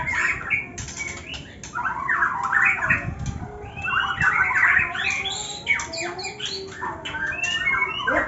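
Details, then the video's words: Murai batu, the white-rumped shama, one with cataract and one once 'cabul', making the ngetrek: rough, clipped, chattering notes in quick irregular bursts with a few thin whistles, and faint background noise. "ngetrek murai batu katarak dan murai batu bekas cabul"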